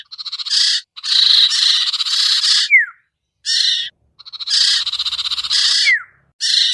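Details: Lure sound of the sirtu bird, meant to draw hard-to-catch birds down: long, raspy, buzzing trills of rapid pulses, each run ending in a quick falling whistle, with gaps about a second long.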